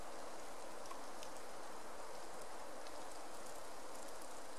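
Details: Steady broadband rain-like hiss with no distinct calls.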